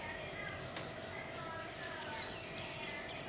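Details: Warbling white-eye kept as a songbird, singing líu chòe: a row of high descending whistled notes, spaced at first, then speeding into a loud, dense, shrill trill.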